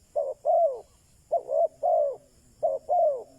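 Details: Spotted dove kept as a decoy to draw in wild doves, three phrases of cooing, a short note followed by a drawn-out, gently falling coo, spaced about a second apart.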